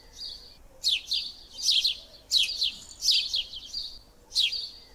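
Eurasian tree sparrow giving bright, harsh chirps in short bursts, about five in five seconds, with a faint high hiss between them.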